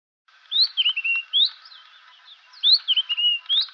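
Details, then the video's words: A White-browed Scrub Robin gives two quick phrases of high, slurred whistles, each rising then dropping, about a second apart, one of several individual variations of a repeated call. "White browed Scrub Robin calls"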